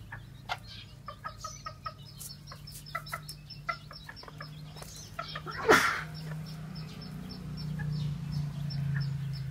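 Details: A white black-tailed bantam hen, long sitting on eggs and hungry while foraging for food, gives soft, scattered clucks, short and irregular, with one louder squawk midway, over a steady low hum.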